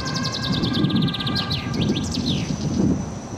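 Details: Common chaffinch in Södermalm, Stockholm, giving quick runs of high, slightly falling chirps, over a low traffic rumble and a steady hum.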